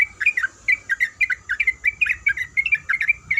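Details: Female yellow-vented bulbul in breeding condition calling the male with quick squeaky 'kuik' chirps, some paired, bouncing up and down in pitch in a steady run.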